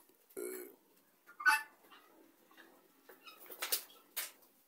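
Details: Helmeted guineafowl gathered together as a flock; a nasal, harmonic-rich call opens, followed by a harsh, raspy cry and, later, several short broadband bursts, possibly wing flaps or scuffling, in a quiet setting.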